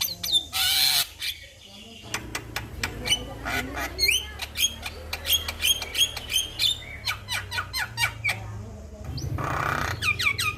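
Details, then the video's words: Male Javan myna, master recording used to prompt caged mynas to sing; loud harsh squawks open and close a run of rapid clicking notes mixed with clear whistled notes, under a steady low hum. "Masteran jalak Kebo jantan Suaranya Bikin Burung jalak Anda Langsung Bunyi"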